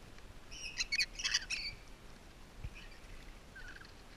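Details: Captive rainbow lorikeets at Twycross Zoo, heard during enrichment: a rapid cluster of loud, shrill, grating screeches packed into about one second, followed by a few fainter scratchy notes against quiet background hiss.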